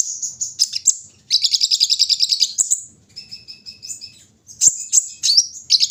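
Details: High-pitched twittering from a brown-throated sunbird during morning airing: a rapid, even run of sharp repeated notes, then softer mid-high whistles and a final flurry of piercing chirps.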